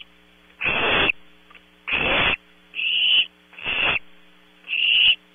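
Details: Several barn owl owlets calling at night in a nest at Audubon Starr Ranch, California: five rasping, hissing screeches of about half a second each, some broad and breathy, others thinner and more tonal, with a constant low mains hum underneath.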